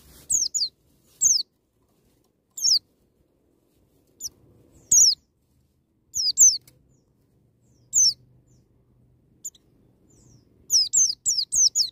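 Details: White-eye in wild-style 'ngalas' song meant to provoke young birds into singing: short, high, downslurred whistles given singly or in pairs with irregular pauses, ending in a quick run of four notes.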